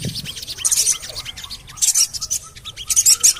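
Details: Javan cochoa 'cuit cuit cuit' call used as a lure to make birds sing: high, sibilant chirp bursts repeat roughly once a second, mixed with soft lower whistled notes.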